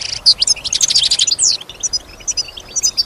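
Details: Captive European goldfinch singing, said to imitate surrounding sounds such as other birds and human sounds; rapid high twittering of short chirps and trills, dense at the start and then sparser, scattered notes.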